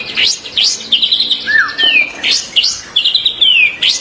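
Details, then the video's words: White-rumped shama training song for captive birds, 2024. Bright chips, a low slurred whistle and drawn-out descending whistles mixed with buzzy trills, repeated at a brisk pace. "MASTERAN MURAY BATU 2024"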